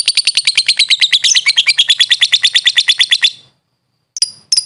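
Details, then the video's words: Lovebird used as a training master: a rapid, even rattle of piercing high chirps for over three seconds, then silence and two brief sharp notes. "LOVE BIRD SOUNDS"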